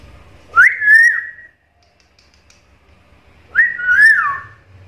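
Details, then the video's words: Black-capped lory, a chatty bird able to talk and mimic varied sounds, gives two clean, slightly wavering whistled phrases about three seconds apart, each rising then levelling, with silence between. "BURUNG NURI KEPALA HITAM GACOR BISA NGOMONG ISIAN SUARA BERVARIASI"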